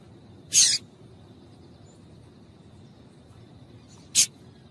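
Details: Yellow-bellied seedeater female calling so males will start singing: one strong high chip, a long quiet stretch of over three seconds, then a shorter second chip.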